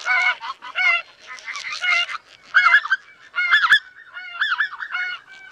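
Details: Several greater white-fronted geese honking in a busy, overlapping chorus. The calls are high, nasal and yelping, come in quick clusters, and have a brief click partway through.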